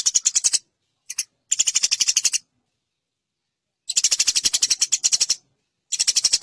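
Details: Fighting chatter of Eurasian tree sparrows, recorded as training material for competition songbirds: rapid, sharp high chirps in four uneven bursts, with a short two-note fragment and pauses of over a second between them.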